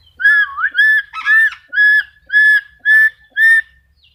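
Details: Black-capped lory repeating a clear, loud whistled note roughly twice a second, each a steady ringing tone with rich overtones; the opening note dips and rises, and one harsher note comes in the middle; a quiet room around it.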